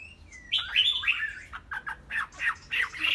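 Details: Chinese hwamei kept as a caged bird, giving a sliding whistle followed by choppy, harsher warbled bursts repeated several times a second over a faint background hiss.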